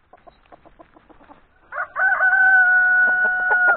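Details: Rooster among turkeys. A run of quick soft clucks leads into a loud, drawn-out crow: a rough rising onset, then a long level tone held for almost two seconds.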